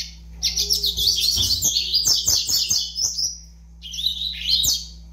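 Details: A five-month-old young double-collared seedeater sings a dense burst of squeaky, buzzy twittering, goes quiet briefly, then adds a short final phrase; low background hum.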